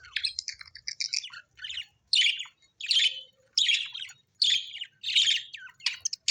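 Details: Cheerful pet budgerigars chirp and chatter, a mixed warble at first, then steady raspy chirp bursts repeating a little faster than once a second.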